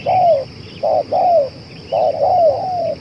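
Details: Spotted dove said to keep cooing for two hours, suited as a lure bird: a short note, then a longer falling coo, repeated twice in three seconds, with a steady high whine behind.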